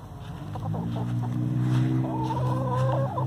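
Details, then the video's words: A hen in a free-range flock complaining about laying nests. A few soft clucks lead into a long, warbling, whiny call lasting about a second. A loud low droning hum runs throughout. "My Hen is Complaining"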